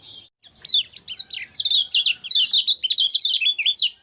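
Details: Common iora (kecial kuning) singing energetically on 6 December 2024: a fast, continuous run of sharp, high chirps and twittered notes with quick up-and-down slides, barely pausing over four seconds, with no other sounds.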